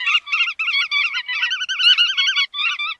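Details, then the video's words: Chắt đuôi vằn bird delivering a near-continuous stream of buzzy, nasal, wavering notes, rapidly repeated with only brief gaps. "Tiếng Chim Chắt Đuôi Vằn"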